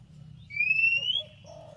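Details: Oriental magpie-robin (kacer) calling to prompt a rival to respond: one long, clear rising whistle over a noticeable low rumbling hum, then faint low notes.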